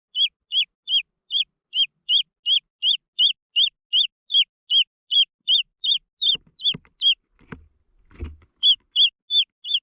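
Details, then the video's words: Green junglefowl chicks peeping rhythmically, high down-slurred notes roughly three per second, briefly interrupted by a few soft knocks and low thuds near the end before the peeping resumes. "The Sound of jungle fowl chicks"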